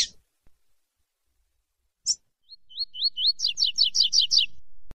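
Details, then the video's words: Yellow-bellied seedeater, called coleiro baiano, singing: a sharp high note, then four clear S-shaped whistles followed by a fast run of buzzy, downslurred notes repeated about six times in a quiet room. "APRECIAM ESSE CANTO DESSE (COLEIRO BAIANO)"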